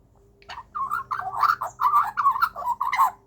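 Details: A young Australian magpie, one of a family of three that visits daily, keeps up about three seconds of squawky, warbling chatter, rising and falling in short bursts over a low steady indoor hum, while a person chats with it.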